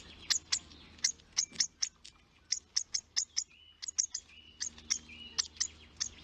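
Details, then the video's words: Young hawfinch at the nest calling to be fed: steady series of short, piercing high clicks, often paired, with a few brief thin whistled tones in between and a faint low hum. ""Feed me" dance 😂 Baby hawfinch"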